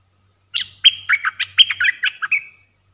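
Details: Red-eyed bulbul lure song: a quick, bubbly run of about nine short chirping notes over two seconds, ending in a drawn-out, level whistle; otherwise quiet.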